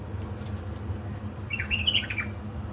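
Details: Pet bulbul from Baladruz, Diyala, singing at 3 am before dawn on 19 August 2020: one short, bright warbled phrase of rapid slurred notes near the end, over a steady low indoor hum.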